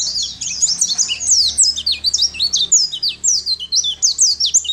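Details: Lively gacor song of a champion Sunda white-eye, recorded as tutor material for training other songbirds: crisp, very high twittering notes in rapid bursts, rising and falling slurs tumbling over one another with brief gaps between phrases.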